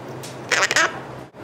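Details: A male Hahn's macaw, a pet, gives a short, harsh, squawky mimicked "mwah" kiss sound, under half a second long in a quiet room, when asked for a kiss. It is one of his small kisses.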